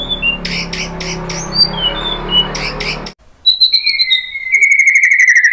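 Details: White-rumped shama song used to draw out another bird's singing: scattered high whistles over noisy hum, a brief silence, then clear high whistles and a fast buzzy trill dropping slightly.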